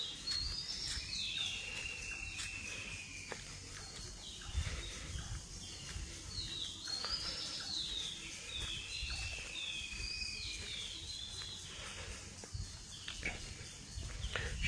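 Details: Birds singing at dawn in foggy, rural Manikganj, Bangladesh, around sunrise: clear whistled phrases that rise and fall, repeated every few seconds by several birds, with low background rumble and faint insect hiss.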